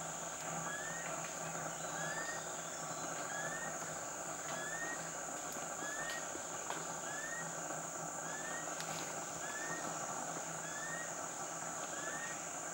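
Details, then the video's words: Rufous-collared kingfisher in Khao Luang National Park, Thailand, giving a long, steady series of short rising whistles, about one per second, over a constant high insect drone. "Rufous-collared kingfisher"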